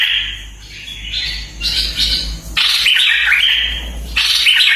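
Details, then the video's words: Red-eyed bulbul singing loud, gravelly, bubbling phrases, three bursts in quick succession, rough and buzzy with a constant low hum beneath. "SUARA BURUNG MERBAH LEKIR"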